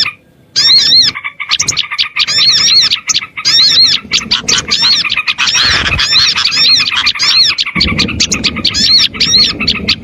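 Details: Lure recording of Oriental white-eye song for attracting small birds: after a quiet start, a steady stream of high, overlapping twitters and bouncing chirps fills the rest.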